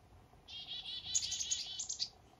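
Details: Black-capped chickadee on a misty northern morning during a fishing trip, delivering a fast, continuous rattle of buzzy dee notes topped by high sharp chips, lasting under two seconds.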